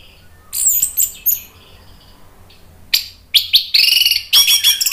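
Orange-headed thrush song: high, varied whistled and chattering phrases in short bursts, building into a denser, rich outpouring near the end.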